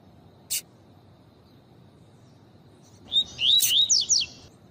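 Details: A sharp click, a pause, then a female double-collared seedeater calling to stimulate males: a rapid run of high whistled slurs, rising and dipping, roughly six notes in just over a second.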